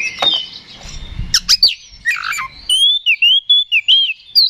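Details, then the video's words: Oriental magpie-robin song meant to provoke a rival to fight: harsh, sharp downward notes and a rasping burst, then a rhythmic run of six or seven wavering whistled notes at a steady pace. "KACER GACOR NGEPLONG TARUNG !! PANCINGAN KACER PALING AMPUH BUAT MENAIKAN EMOSI KACER AUTO RESPON"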